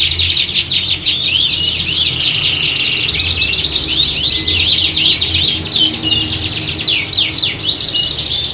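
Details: A group of canaries in full song, the recording mimicking a competition setting to build a bird's fighting spirit. Crowded, rapid chirps and trills pour out nonstop, with occasional clear whistled slides and a faint low rumble.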